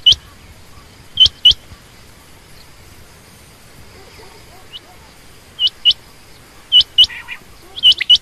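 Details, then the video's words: Female quail call notes: scattered pairs of bright, high, hooked chirps separated by long silent stretches, with a short burst of lower chatter near the end. "common quail/Rain quail sound)chinga batair ki Awaz)Звук самки перепела)صدای بلدرچین)صوت السمان"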